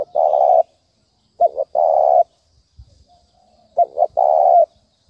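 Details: Spotted dove giving the urging 'thúc bổi' coo, used to stir up a decoy bird for trapping: low hoarse coos, a short wavering double note followed by a long steady coo, phrase repeated about every two and a half seconds, otherwise quiet.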